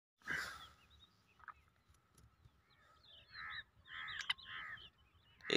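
Grey francolin giving loud, harsh, grating notes: one opening burst, then three in quick succession about half a second apart. Faint chirps from other birds are also heard.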